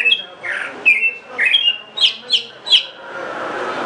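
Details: High whistled notes and buzzy downslurred chirps from a greater green leafbird, roughly three per second in a lively burst, ending in a light steady hiss.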